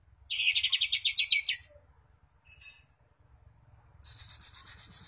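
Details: Lure song of a white-rumped shama meant to provoke other shamas to sing: a fast burst of repeated high chirps ending in a downslurred note, a brief buzzy phrase, then a shrill rapid trill.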